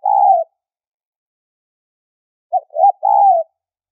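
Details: Spotted dove in a high-toned trapping lure. The tail of a long coo fades out, then after a silent gap comes a full three-part phrase: a short note, a rising note and an extended wavering coo.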